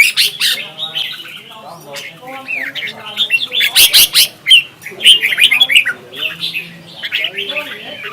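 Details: Red-whiskered bulbul duel song, used as lure sound: dense overlapping chirps and quick slurred whistles from more than one bird, with sharp loud notes midway and low buzzy tones beneath.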